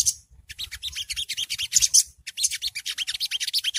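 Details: Long-tailed shrike (songgo ontong) with ngriwik chatter, an early-stage tutoring recording intended to make birds respond: rapid, pulsing high-pitched scratchy notes, a brief pause midway, then an even faster regular trill.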